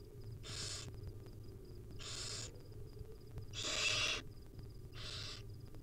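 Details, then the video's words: Hungry barn owl nestlings, wild, fed small bits by the mother on a nest camera: four drawn-out breathy hisses at irregular intervals, the third loudest and broadest, over a quiet hum and light ticking. "Hungry baby barn owl nestling get fed tiny bits by their Mom."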